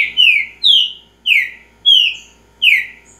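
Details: Green-winged saltator (trinca-ferro) giving a repeating song: five loud whistled notes, each sliding downward, spaced about every 0.6 seconds against a quiet background.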